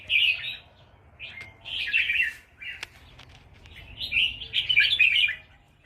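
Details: Red-whiskered bulbul singing nap dok from Loei province, Thailand. Longer warbled bursts of chirpy, slightly buzzy notes run in several rising and falling phrases, with brief gaps and a faint click in between.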